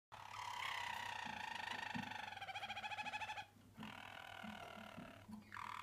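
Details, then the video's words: A Malinois canary, singing without ever opening its beak, gives a rich, sustained tour that turns into a fast bubbling roll, then a few shorter phrases, over a low indoor hum. "المالينوا لا يفتح منقاره أبدا حين يغرّد"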